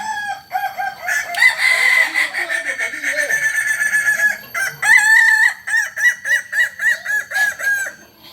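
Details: Kokok Balenggek chicken, native to Solok in West Sumatra, whose crow climbs through three to nineteen tiers. A loud crow starts with sustained stepped tones, then breaks into a rapid train of short, evenly repeated syllables, about three per second.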